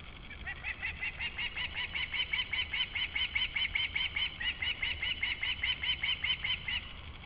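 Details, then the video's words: Background calling of an osprey, Latvia, 28 July 2012: a long, unbroken run of rapid, regularly spaced whistled chirps lasting several seconds, growing slightly louder, with a constant low hum underneath. "Latvian Osprey - July 28 - 2012 - call in the back"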